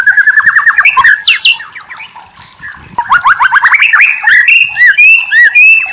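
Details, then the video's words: A White-rumped shama sings a rich, fast medley of rapid trilled runs, rising sweeps and clear ringing whistles, changing phrases every second or so; recorded as a tutor song for training other shamas. "Masteran murai batu terbaik"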